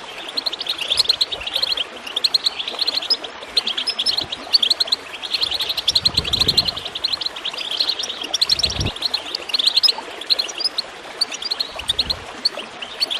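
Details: Goldfinch twittering, recorded to prompt birds to sing. Rapid high chirps and trilled phrases run through the whole stretch, with water gurgling beneath and occasional low thumps.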